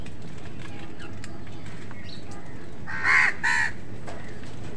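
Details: While crows and other wild birds squabble over food, a crow gives two rasping caws close together near the end after a quiet stretch with faint chirps.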